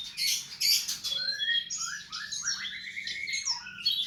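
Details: Bird song played as tutoring material for caged birds: opening harsh, high chattering bursts give way to a run of clear, slurred whistles dropping and rising in pitch, then more scratchy notes.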